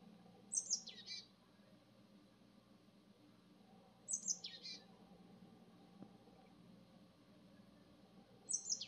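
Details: Japanese tit singing: three brief high phrases, each sweeping down from very high to mid pitch, spaced about four seconds apart over a faint low background hum.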